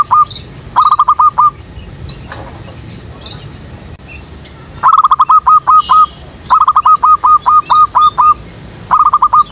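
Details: Lure call of a zebra dove, played to trap doves at a jackfruit tree behind a house. Loud staccato coo phrases of five to eight clipped notes recur through the clip, with soft distant bird chirps between bursts.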